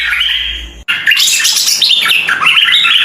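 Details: Red-eyed bulbul singing after a brief opening noise: a rapid, jumbled run of bright chirps and squawky notes, loud and close.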